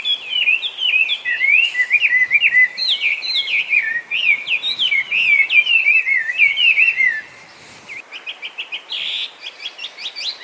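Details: Loud, nonstop song of a Chinese hwamei gone wild in Japan: long rolling series of swooping whistled notes, then a brief lull followed by short, rapid, clipped phrases, possibly mimicry.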